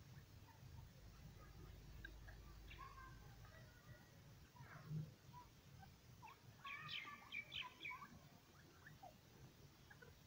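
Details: Francolin (partridge, male and female) giving harsh, grating calls, with scattered short notes and then a loud burst of rapid scratchy phrases, over a steady low rumble.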